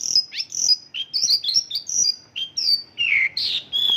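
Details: A Mongolian lark delivers its isian lokalan song, mimicking local birds: bright, high, chattering whistles in quick succession, then lower, fuller slurred notes and a long steady whistle at the end.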